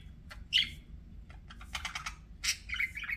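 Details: Pet budgie sounds: a loud squeaky chirp, then quick clicking and scratchy rasping notes building into a short burst of chattering chirps near the end.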